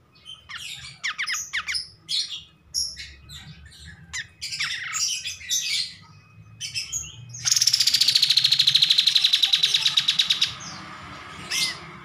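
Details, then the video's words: Kapas tembak bulbul singing, used as a master recording for song training. Bursts of scattered high chirps and squeaky notes for several seconds, then a long rapid rattling trill of even pulses lasting about three seconds, followed by a short squeak. "MASTERAN KAPAS TEMBAK GACOR"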